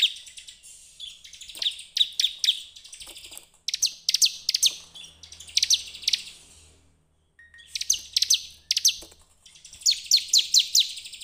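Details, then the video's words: Bar-winged prinia song used to lure other birds into singing: high, sharp chirps delivered in three rapid bursts of several notes each, separated by brief silences. "pancingan ciblek terbaik untuk memancing ciblek gacor"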